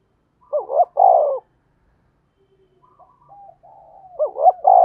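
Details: Lure call of a spotted dove for birdlime trapping: a strong two-part coo, a silent gap, faint thin notes, then the phrase starting again.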